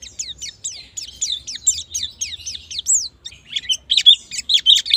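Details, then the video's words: High, rapid white-eye song played as a lure for fast ngalas and nembak singing: a run of quick down-slurred whistles, then a busier, jumbled burst of chirps in the last two seconds. "Pancingan Pleci Bahan Agar Cepat Bunyi Ngalas Dan Nembak"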